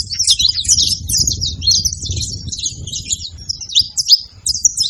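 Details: Busy high-pitched twitter from several saffron finches, short clipped chirps in quick succession, with a noticeable low rumbling noise underneath.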